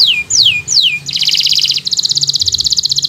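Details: Local bottle-green canary singing for young birds learning: three slow descending whistles, then two stretches of very fast buzzy high trills.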